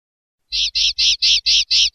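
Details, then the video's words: Common linnet (Carduelis cannabina) singing a phrase of six evenly spaced, loud buzzy notes, each a short harsh rasp repeated about every quarter second, after a brief silence; no other sounds. "Canto Pardillo / Carduelis Cannabina"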